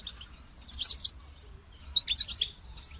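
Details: European goldfinch singing, kept as a pet songbird: two bursts of high, rapid twittering and tinkling notes separated by a short pause, ending with a brief chirp; quiet low hum beneath.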